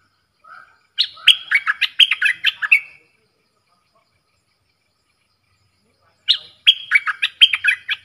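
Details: Bulbul kept in a cage duelling with wild birds, 3 October 2021: a soft lead-in note, then a jaunty phrase of quick whistles, a long pause, and the phrase repeated.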